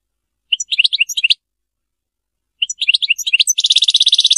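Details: Goldfinch (European) singing Serfati-style. Two bouts of quick, tinkling, high twitters; the second runs into a dense buzzy trill. Silent gap of over a second between the bouts.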